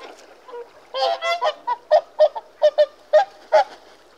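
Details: Whooper swan giving loud trumpeting honks, first a few ragged overlapping notes, then a steady series of short bugled calls roughly every third of a second.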